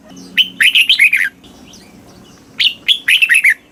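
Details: Red-whiskered bulbul, song for stimulating caged birds in Thai southern style: two bright whistled phrases, each a fast string of slurred notes about a second long, separated by a short pause.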